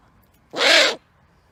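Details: Great horned owl giving a single harsh, hoarse screech of about half a second, broad and raspy with a faint arched tonal band underneath, in an otherwise quiet setting.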